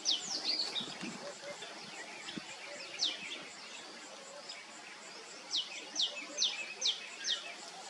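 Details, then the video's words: Sunbird family group calling: high thin downslurred notes, a quick cluster at the start, one at three seconds, then five evenly spaced sharp notes near the end, over steady insect hiss. "Cute Sunbirds Family"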